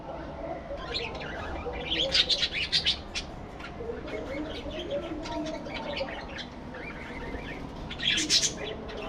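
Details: Several budgerigars chatter in fast clusters of sharp, scratchy chirps, one flurry early and another near the end, with quieter twittering between over a low background rumble.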